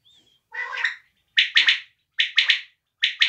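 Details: Native quail (desi batair) calling: a soft, raspy low note followed by three bursts of sharp, rapid triple notes, each trio quick and clipped, repeating about once per second in a quiet setting.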